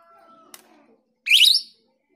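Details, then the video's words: Female grosbeak starling, recorded as a lure, delivers one harsh, buzzy, slightly rising call lasting half a second, preceded by a faint steady tone and a click. "Pancingan jalak rio betina"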